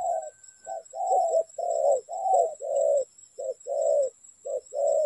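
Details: Spotted dove cooing, used as a lure for trapping: low mellow hooting coos in short and longer phrases, several in quick succession, over a steady high electronic whine.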